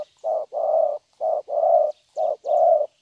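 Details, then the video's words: Young spotted dove with a good voice cooing loudly: three paired coos, a short note followed by a longer rolling one, each pair about a second apart, in a quiet setting. "Thổ tốt tiếng.(chim tơ)"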